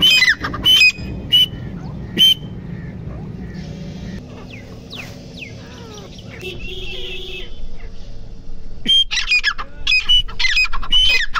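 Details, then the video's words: Loud grey francolin squawks at the start, a quieter stretch with distant chirps and background noise, then renewed rapid ringing calls near the end. "Titar ki awaz"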